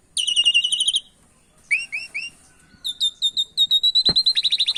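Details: Javan pied starling song blended with canary song for training: a high rapid trill, three rising looped whistles, then a fast run of repeated bright chips ending in a pulsing trill.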